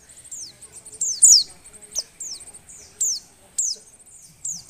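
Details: Breeding female Oriental white-eye, used to provoke males into singing, uttering high thin descending chirps in short groups, with faint low rumbles in the background.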